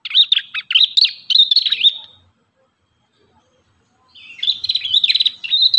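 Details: Prenjak kepala merah, the Ashy tailorbird, sings rapid high twittering phrases of sharp notes and fast trills. A silent gap of about two seconds separates two bursts.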